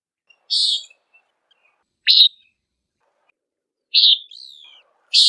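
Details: A Common Nighthawk calls in flight at dusk or dawn in summer while hunting insects, giving four short, nasal, buzzy peent notes one every one and a half to two seconds against a quiet background.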